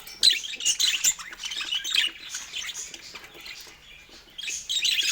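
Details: Budgies feeding on fruit give clear high chirps and whistled squawks in lively bursts, then a quieter stretch before the chatter resumes.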